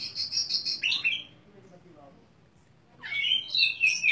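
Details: Oriental magpie-robin, a prize-winning contest bird with crystal-clear voice, in its daily routine: bright high whistled phrases with rapid trills, a pause, then a loud varied burst of sharp notes.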